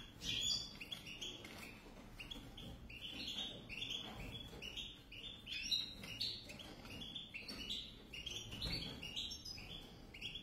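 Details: A pair of European goldfinches singing a continuous twittering song of short, bright notes that dip and rise, phrases following one another without pause, over a low background rumble.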